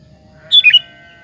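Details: Sooty-headed bulbul, used to lure other bulbuls into replying, gives a single quick phrase of three liquid, slurred whistled notes, bright and clear against a quiet background with a faint steady tone.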